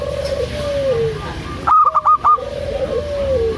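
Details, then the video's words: ['Local zebra dove, a female calling to the male, gives a loud burst of four clipped, staccato notes in quick succession, set against softer, drawn-out falling whistles and a low steady hum.'] "Perkutut lokal suara besar"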